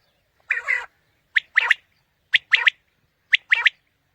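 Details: Quail call for luring birds on a morning hunt: a rough, harsher note opens, then three ringing phrases of a single note and a quick pair, spaced roughly one second apart.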